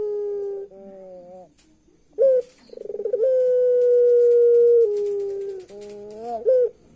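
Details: Eerie laugh of a puter pelung turtle dove: wavering low notes, a sharp yelp, a rapid pulsing stutter, a long steady hoot stepping down in pitch, then rising wavering phrases and a final sharp note.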